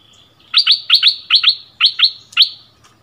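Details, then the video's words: Bulbul song duel with a resident territory holder, recorded in February 2021: a series of sharp, bright, paired notes repeated quickly and fairly evenly over about two seconds. "เสียงนกดอกแตงEp.30 คืนถิ่นเก่า!!ดวลเพลงเบิ้ลกับเจ้าถิ่น"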